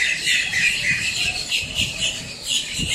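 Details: Blackbirds squawking noisily at close range in Miami, Florida: a thick wall of shrill, grating calls with no pause between them.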